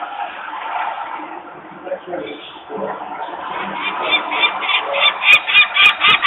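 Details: Peregrine falcon parents screaming near their nest in Włocławek, Poland, on 23 May 2022 at 14:51 while workers make noise nearby and the young stay on the landing; mixed murmur first, then a rapid harsh repeated series building from about three seconds.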